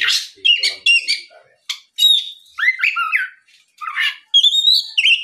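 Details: Afternoon Oriental magpie-robin song used to provoke other magpie-robins to respond, with noisy rasping bursts, chirps, and smooth whistles that rise and drop, ending in a sustained high whistled phrase.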